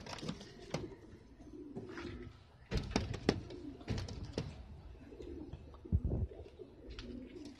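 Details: Domestic Filo pigeons utter repeated deep, rolling coos between loud clacks and bursts of wing flapping, with the low murmuring calls continuing through the background.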